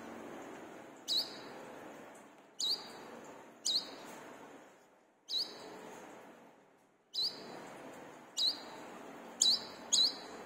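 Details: Brown-throated sunbird used as a lure to train caged birds to sing; sharp, very high chirps with a quick upward flick, eight of them spaced about a second apart, over steady hiss with abrupt cuts between bursts.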